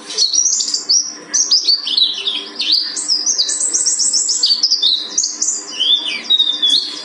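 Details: High, fast mountain white-eye song from Gunung Karang: tumbling chirps and short buzzy trills jumping between pitches, ending with a few downslurred notes, continuous throughout.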